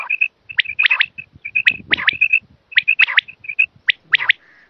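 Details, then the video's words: Quail lure sound for hunting: brisk series of short, piping high notes between sharp, abrupt double and triple strokes, repeated in bursts, ending in a faint buzzy trail. "The quail's voice to catch"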